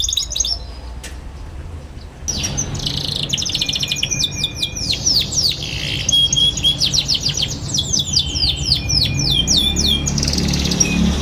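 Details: Young canary ngeriwik chatter used as a lure for young canaries to learn singing: a quiet start with a few notes, then nonstop rapid high twittering and slurred chirps over a louder low rumble.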